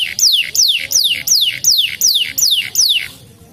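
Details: Canary repeating a loud, high downslurred whistle about every third of a second, eight times in a row, then fading out.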